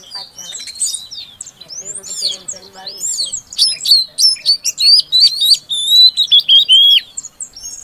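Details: Female Oriental magpie-robin calling to stimulate a silent male to sing: varied chirps and a few lower harmonic notes, then a fast series of loud, sharp whistled notes at about three per second.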